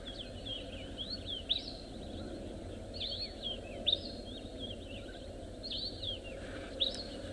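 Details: Many skittish sombre greenbuls calling non-stop from cover at dawn on a South African safari drive, 3 April 2024, trading bright, slurred whistled phrases ending in a sharp note every one to two seconds, one answering another, over a low rumble.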